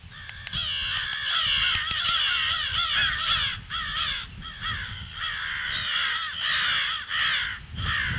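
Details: Harsh crow alarm caws recorded 18 February at 08:50, loud and overlapping in quick clusters, rasping and harmonic-rich, with brief dips between bursts and little background noise.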